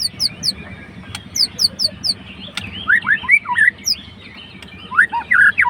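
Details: Fighter white-rumped shama song aimed at provoking a rival: a series of very high, thin sharp notes, then lower looping whistles and slurred phrases, with a steady low hum underneath.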